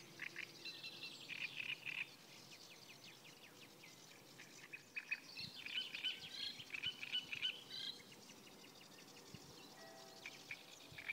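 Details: A great reed warbler by the Kyjovka stream at Lanžhot on 15 May 2016 sings a steady stream of harsh, grating chatter mixed with squeaky whistled notes, several phrases a second, over a faint hiss.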